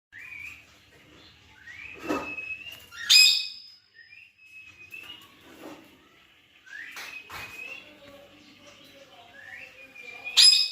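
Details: Plum-headed parakeet, kept with a cockatiel, giving short, rising whistled calls, repeated every second or two, with scattered clicks and bumps.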